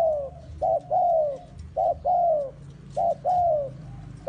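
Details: Bait spotted dove prepared for trapping in the forest gives three clear coo pairs, a short note then a longer falling coo, evenly spaced about a second apart.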